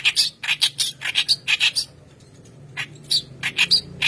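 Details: Lure song of a white-browed kerak basi for training young birds: a burst of rasping, squeaky notes roughly twice a second, a pause of about a second, then the harsh chatter resumes.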